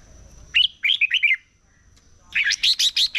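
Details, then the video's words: Competitive morning singing of a red-whiskered bulbul: a phrase of four or five slurred, liquid notes, then a louder, denser burst of rapid warbling notes after a short gap. "Chào Mào Hót Đấu || Kích Chào Mào Hót Sáng Luyện Giọng Bổi Hót Đấu Căng Lửa"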